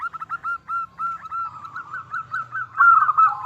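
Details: Local zebra dove singing actively, a call used as a lure to make other doves answer: a rapid series of short clipped mid-pitched notes running into a brighter, rolling coo near the end.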